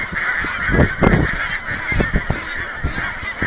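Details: Thousands of geese at an aquatic centre in Hereford, Texas, being fed by visitors, honk continuously in a dense chatter of overlapping nasal calls, with no single caller standing out.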